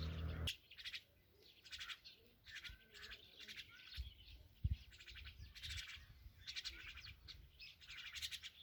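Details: Myna chicks being fed by their mother, giving bursts of harsh, raspy, high chirps in quick clusters, pausing briefly between volleys, with a low thud at the start.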